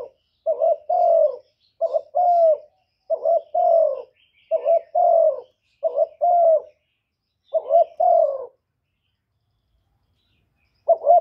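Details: Spotted dove decoy cooing to excite other doves: seven paired coos at a brisk pace, a clipped first note and a longer falling second note, then a long silence before one more phrase begins.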